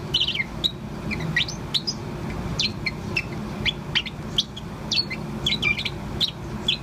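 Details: A Bourke's parrot about four months old, singing continuously, gives quick, high chirps and short rising twitters, several each second, over a steady low hum like distant traffic.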